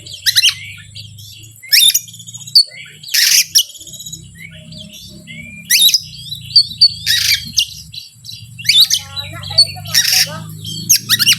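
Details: Oriental magpie-robin song used as a lure to provoke other birds: loud harsh chattering bursts alternating with short whistled and trilled phrases, several bursts every one to two seconds, over a steady low hum.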